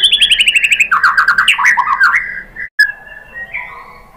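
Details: White-rumped shama lure song for provoking rival shamas: a rapid series of repeated sharp notes, about three per second, shifts into rolling trills, then after a brief cut, longer steady whistles.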